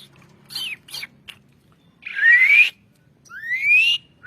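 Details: Asian pied starling song used as a training recording for songbirds: a few short whistled notes, then two long, rising, slightly harsh whistles.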